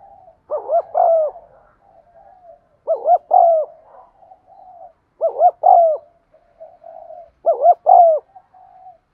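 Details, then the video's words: Spotted dove cooing for getting silent caged birds to coo: groups of rapid stuttered coos ending in a longer falling note, about every two and a half seconds, with soft murmuring notes between. "tiếng cu thúc gù hay"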